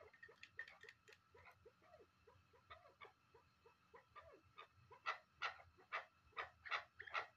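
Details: A chukar partridge, captive and kept for hunting, utters repeated short clucks with falling lower tones, quieter at first, then building into louder, evenly spaced harsh notes over the last few seconds.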